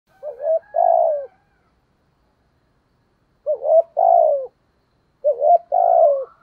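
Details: Spotted dove cooing in a song style called giọng thổ: three phrases, each a short stuttered lead-in then a longer falling coo, gaps of about two seconds, no other sounds.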